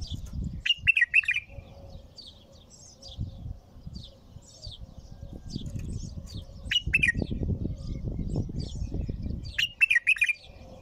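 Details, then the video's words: Bulbul singing nonstop: short rich warbled phrases of a few quick notes, repeated about every three seconds, with faint high chirps between and low rumbling background noise. "تغريد بلبل طور بدون توقف"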